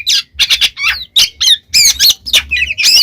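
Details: Oriental magpie-robin in gacor ngeplong mode, harsh squawky notes and chattering bursts alternating with twisting whistled phrases, delivered in quick, uneven bursts.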